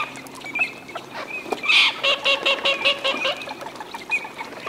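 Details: Eurasian teal (Anas crecca) in display, wetland of Aiguamolls de l'Empordà Natural Park, Spain, 25 December: a quick series of short, ringing 'krick' whistles, about four a second, over softer background calls from the flock.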